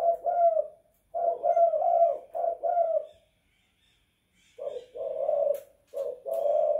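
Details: Indoor spotted dove (tekukur) giving its 'kuk 2 / guk 1' coo: three husky, mellow phrases, a pause of over a second, then two more throaty coos.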